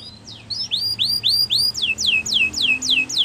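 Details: Spanish Timbrado canary singing a training song: a series of high, sweeping, downward-curved notes repeated about four times a second, clear and metallic, with a faint low hum behind.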